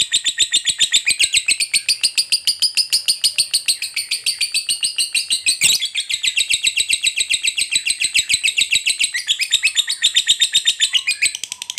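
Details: Long ngekek trill of a fighter lovebird, intended to stir other lovebirds into calling: loud, rapid, high chatter running almost twelve seconds, its pulses fast and even, broken only by a single sharp click near the middle.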